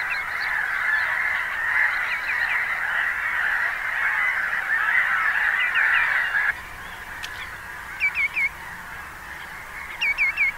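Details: Common greenshank giving ringing triple whistles, tew-tew-tew, each note sliding downward. The first sets are half-buried in a steady high chorus. Clearer triplets follow in quieter surroundings near the end, two seconds apart.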